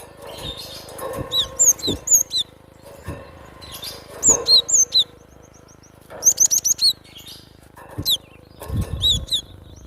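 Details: Wild cinereous tit singing in full voice, high clear whistled notes, some sliding downward, in short bursts, with a rapid run of four or five chirps near the end; soft low thumps and flutters between phrases.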